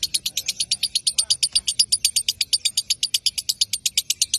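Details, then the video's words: Lovebird in ngekek song, played to lure rival birds into singing back: a steady run of rapid, sharp high-pitched chattering notes, roughly three per second, with no pause. "Suara Masteran Lovebird Memancing ngekek lawannya"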